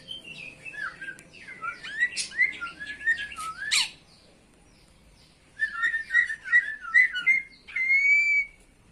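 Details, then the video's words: Myna saying a greeting: squawky chatter and wavering whistles for about four seconds, a pause, then a run of short whistled notes ending in a long, steady, high whistle, recorded indoors. "Burung Jalak Mengucap Salam"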